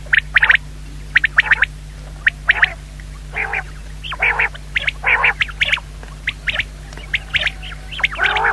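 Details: A common quail (Coturnix coturnix) calling, with short, raspy, nasal notes in irregular bursts of one to three, about twenty in eight seconds, over a faint steady low hum.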